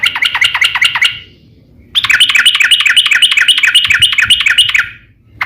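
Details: Sooty-headed bulbul in a long rapid song: fast bubbly repeated notes, a short run then a longer three-second stream, close and loud.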